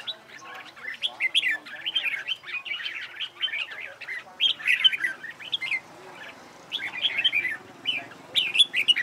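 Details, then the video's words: Red-whiskered bulbul competition singing, used for training birds to sing: bright warbled phrases of chirpy, bouncing notes, repeated with brief pauses throughout, no other clear sounds. "CHÀO MÀO HÓT ĐẤU HAY"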